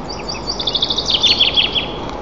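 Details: White-tailed eagle at its nest, 35 m up, in Nizhnyaya Kama National Park on 2 May 2024 at 11:25, gives a quick run of high yelping notes, about a dozen in just over a second, over a steady hiss.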